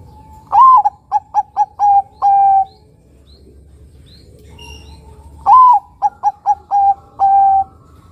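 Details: Vocal Bangkok zebra dove (perkutut), local cross, with a large, long-drawn voice, used to draw song from other doves: a pair of phrases, each opening with a rising coo, running through four rapid short notes and ending on a sustained flat note.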